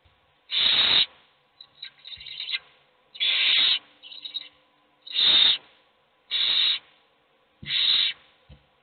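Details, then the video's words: Hungry owlets in a nest box, all wanting food while only one eats, produce loud hissing screeches about every second, with softer overlapping rasps from other chicks in between. "Todos los polluelos tienen hambre, pero sólo come uno."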